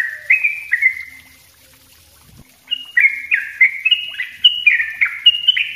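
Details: Yellow-vented bulbul lure recording in ropel rapat style: two bubbly phrases, a silent gap with a faint click, then a fast, chattering burst of slurred, gurgling notes.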